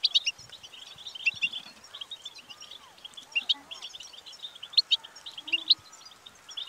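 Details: Goldfinch singing, played to stir a bird into song: an almost continuous stream of quick, bright twitters and tinkling chirps with scattered louder accents and a faint low hum underneath.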